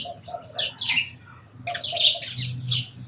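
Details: Sparrow chirping in quick clusters of sharp, high notes, with a few lower, softer notes mixed in over a faint background rumble.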